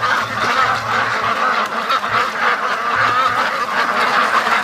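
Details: Ducks from a free-range flock of over 650 hurrying back from the lake to their feed in the daily homeward rush; massed harsh quacking and chatter throughout, with a few dull low bumps underneath.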